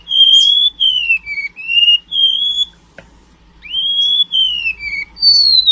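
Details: Clean whistled song of a sea remetuk, or golden-bellied gerygone, taught canary phrases: long sweet notes that glide down and up in linked phrases, a gap with a single click, then more rising and falling whistles.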